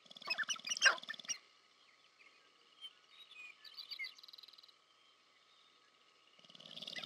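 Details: Sharp-tailed grouse in courtship display at Montana's American Prairie Reserve, USA: a loud burst of clucks and rattling at the start, quiet scattered chirps and a pulsed buzz in between, rattling returning at the end.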